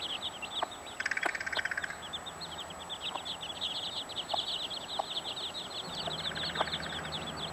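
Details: Fifteen chicks and their mother hen: dense, rapid high cheeping runs almost without pause, while the hen adds a short rattling, nasal vocalization near the start and again toward the end, over steady background hum.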